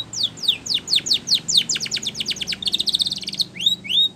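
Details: Spanish Timbrado canary song for training: a run of quick, high, down-slurred notes, about four a second, breaking into a fast rolling trill and ending in upswept whistles.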